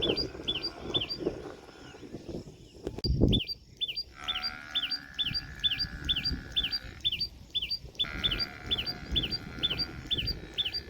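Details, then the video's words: A common tailorbird, Ranthambore National Park, Rajasthan, gives loud, sharp, rising chirps, about three a second, in a steady run, over a low hum and bleating farm animals. "Sound of Common Tailorbird | Common Tailorbird Call | दर्जिन चिड़िया की आवाज | Tailorbird Chirping"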